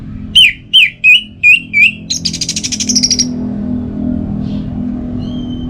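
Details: Orange-headed thrush singing calmly: five clear, upward-flicked whistled notes evenly spaced, then a fast buzzy trill, ending in a faint single whistle over low background hum.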